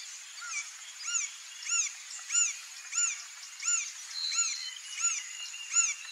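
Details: Green-barred Woodpecker (Colaptes melanochloros), a male building its nest in breeding season, giving a steady series of arched, slurred notes, about one every two-thirds of a second, over a constant high insect hiss.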